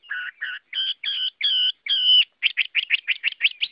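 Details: Chinese hwamei (Garrulax canorus) singing: several drawn-out nasal, harmonically rich notes followed by a fast run of short repeated chirps.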